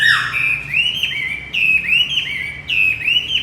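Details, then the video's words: Javan white-eye lure song for a male that has stopped singing. Loud, clear, ringing whistled phrases, each sliding down then up, repeated in three bursts with brief pauses between them. "Pancingan kicau wambi macet"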